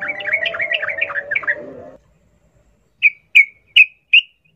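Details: Sooty-headed bulbul, wild forest 'ngalas ropel' singing, a lure for captive birds: a two-second jumble of quick warbled notes, a pause, then four clean, evenly repeated chirps.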